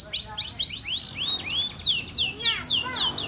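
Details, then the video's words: Male canary in steady song, described as gacor and sweet: a quick series of bright, down-slurred whistled notes, repeated several times a second at high pitch, with a soft low hum underneath. "Kicau kenari jantan gacor merdu"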